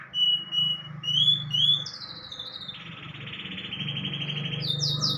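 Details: Panda canary song filled with learned white-rumped shama phrases, in a long session: clear whistled notes near the top, rising slurred whistles, then a rapid buzzy rolling trill, over a steady low hum.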